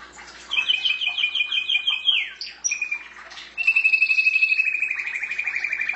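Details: Pet canary in full song: fast rolled trills, a quick downward swoop, then a long rapid buzzy trill held at an even pitch.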